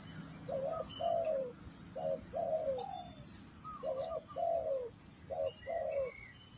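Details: Spotted dove calls used to lure birds for trapping: low, hoarse coos in paired phrases, a short note then a longer falling one, repeated about every two seconds, over a steady high insect-like whine.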